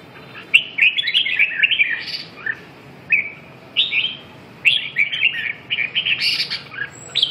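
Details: Red-whiskered bulbul singing clear whistled notes in short clustered phrases, the groups separated by gaps of about a second, with some higher, scratchier accents.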